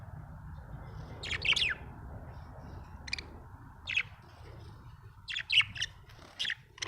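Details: Pet budgerigar chirping happily: short bright chirps in scattered bursts of two to four notes, sharp and high, spaced by brief pauses, over a steady low background hum.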